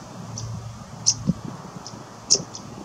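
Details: A Cetti's warbler fledgling at RSPB Middleton Lakes on 3 August 2023 gives two sharp, high ticking calls about a second apart over a soft, low background hum.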